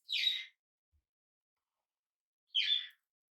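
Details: Tame young budgerigar, hand-fed and newly at home, utters two loud scratchy chirps roughly two and a half seconds apart in otherwise silent indoor surroundings.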